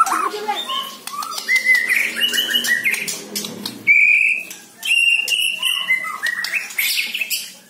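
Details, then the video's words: White-rumped shama song, for luring kept shamas into singing: varied ringing whistled notes, some rising, some flat, interrupted by short buzzy and harsh bursts, delivered in quick continuous phrases. "PANCING MURAI BATU ANDA DENGAN SUARA INI"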